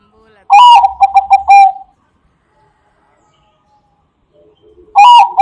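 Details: Zebra dove of the Bangkok type, its song used as a lure for other doves: a slurred opening coo followed by four quick staccato coos, a pause of about three seconds, then the next phrase begins; quiet background.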